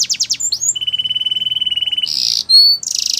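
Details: Training song of a canary: quick falling notes open into a long, even trill of rapid identical pulses, then a harsh buzzy burst, a pure high whistle and another fast rattling trill.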